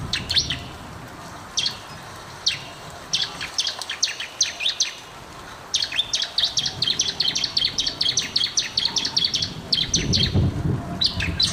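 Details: Bar-winged prinia, known locally as ciblek, singing as a master recording used to prompt silent or lazy birds to sing; sharp high chipping notes in rapid bursts, pausing then resuming in a fast repeated series, over low background noise.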